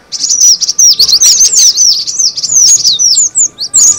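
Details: High, rapid tweeting of cinereous tit for luring birds: near-continuous run of quick sharp chirps and down-sweeping whistles, pausing only briefly, with a faint low hum present.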